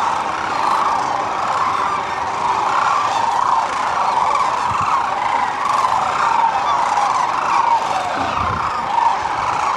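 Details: A huge gathering of sandhill cranes pauses on the Platte River in central Nebraska during the spring migration. A steady, rolling wall of overlapping calls continues throughout without a break.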